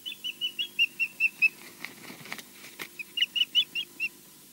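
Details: Osprey at Loch Garten, Scotland, filmed on a nest camera after a short flight: clear whistled chirps repeated rapidly, about two to three a second, broken midway by soft wingbeat flaps, then resuming in a similar series.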